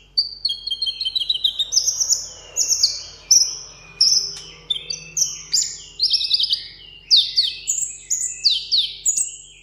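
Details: Caged 'hút mật 7 màu' sunbird singing a solo contest song: a dense, high twittering of sharp chirps and short descending whistles repeated in steady rapid succession.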